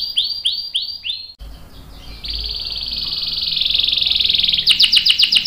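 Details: Canary in long-roll song for training young and adult canaries: a few looping whistled notes, a brief pause, then a long rising buzzy roll ending in quick rattling notes.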